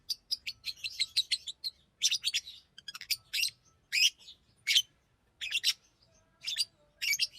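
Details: Green Fischer's lovebird singing and chirping: shrill, high, scratchy chirps in quick bursts and short trilled clusters, separated by brief pauses, repeating throughout with no other sounds.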